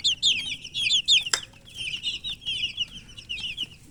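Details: Poultry chicks chirping from thirst for drinking water: many shrill, high peeps, some rising and some falling, come in rapid overlapping bursts, with a sharp knock near the middle and a low rumble underneath.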